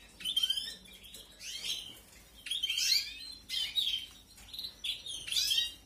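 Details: Young canaries begging as they are fed in an aviary, 2021 breeding: repeated clusters of high, scratchy, falling chirps arrive every second or so, louder toward the middle and end, with brief pauses between bouts.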